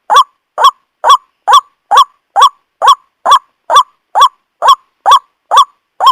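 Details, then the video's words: White-breasted waterhen lure recording used to call in and trap the bird: harsh, nasal, croaking notes repeated steadily about twice a second, thirteen notes in an even, unbroken series, with no other sounds. "Suara Pancingan truwok(ruak-ruak)||memikat burung truwok"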